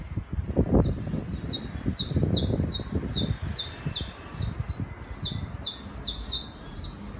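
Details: Saffron finch singing in the city, a tame pair having arrived at a terrace: a fast series of high, downward-sweeping chirps repeated steadily over loud low-pitched rumbling background noise.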